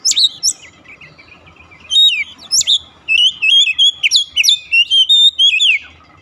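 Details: Song of an Oriental magpie-robin, played to stir a silent bird into singing: a soft warbled opening, then loud sharp whistles and a quick series of bright, repeated whistled notes and slurs.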